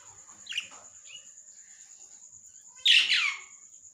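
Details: Lovebird making a brief scratchy chirp, a short pause, a faint second note, then one loud, harsh, rasping squawk near the end, with a constant thin whine behind it.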